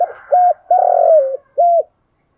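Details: Spotted dove used as a decoy to lure wild birds: a short flat coo, a long rolling coo that falls in pitch at the end, then a final short coo, in clean, close sound.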